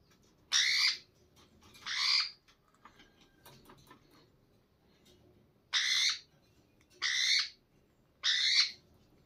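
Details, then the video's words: Slaty-headed parakeet feeding a chick: five harsh, raspy squawks, each about half a second, in uneven bursts over a quiet background. "slaty haddead parakeet feeding baby"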